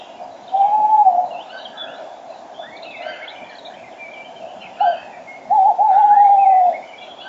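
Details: Male Tawny owl perched almost at the microphone at 06:34 on 5 March 2013, during a spring dawn chorus. A low hoot is followed after a pause by a long wavering, tremulous hoot. Other songbirds chirp and warble higher up throughout.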